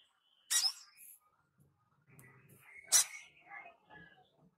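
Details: A young speckled crimson sunbird learning to sing gives two sharp, high "cit" chipping notes about two and a half seconds apart, with soft low murmuring and room sounds in between.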